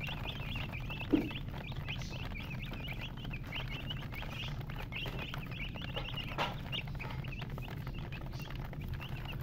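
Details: Chicks peeping continuously with short, high rising-and-falling chirps repeated many times a second, over a low hum, with a brief knock near the start.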